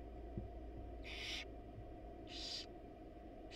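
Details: Barn owl nest box in the wild as the male brings a rat and the mother is not home: two long, airy screeching hisses about a second apart over a low hum.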